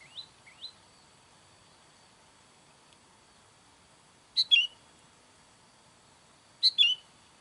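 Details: Sooty-headed bulbul calling for wild bulbuls: two loud, harsh double-note bursts about two seconds apart after a quiet stretch, with two faint rising chips at the start.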